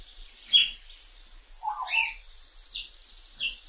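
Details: African grey parrot in the wild, whistling: a few separate short notes, a sharp high chirp then lower warbled whistles dipping and rising, spaced about a second apart.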